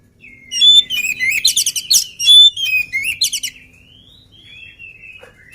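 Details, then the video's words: Unfed, lively oriental magpie-robin in full song: a burst of sharp, varied whistles and fast ringing trills for about three seconds, fading into a thin, drawn-out whistle and near quiet. "KACER GIRAS/GESIT BELUM MAKAN VOUR GACOR"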